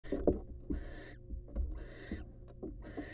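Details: Wild female barn owl in a monitored nest box, sitting on her eggs after swallowing a mouse; three long, harsh, breathy hisses, each about a second, with soft low thumps and scuffling between them.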